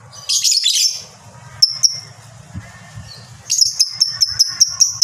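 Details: Fighter lovebird with ngekek chatter: a harsh, noisy burst, a few isolated sharp chirps, then a steady series of piercing high notes about five per second, over a low hum.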